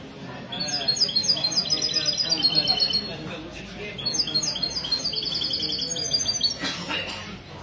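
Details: Goldfinch mule (mesto) at a Sunday morning singing session in a café, Ksar el-Kebir, 16 February 2020. It gives two long, fast bursts of high, tinkling twitters and trills. Indoor background talk and a brief clatter near the end.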